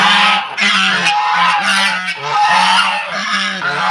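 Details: Several domestic geese from Netrokona, kept at a house in Tangail, Bangladesh, during egg-laying season, honk at unfamiliar people. Loud, harsh, nasal honks overlap continuously in a dense chorus with no pauses.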